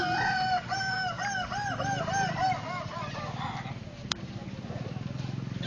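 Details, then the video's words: A Kukuak Balenggek chicken, tied to a stake in the ground during a crowing contest in Solok, gives a string of about ten arched, rising-falling notes. The crow fades into a steady low throbbing hum with people talking. "perlombaan ayam kukuak balenggek dipancang tanah"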